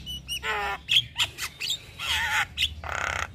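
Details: White-eyed Javan myna (jalak kebo) in full, vigorous song packed with varied fills while nodding its head: harsh grating squawks mixed with short bright whistled notes and clicks, in bursts with brief gaps and a low hum underneath.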